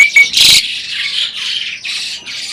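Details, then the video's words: Breeding adult Asian pied starling, claimed to talk, gives a sharp whistle, then a loud harsh burst followed by four hoarse, breathy rasping phrases. "burung jalak ini malah ngajak ngomong"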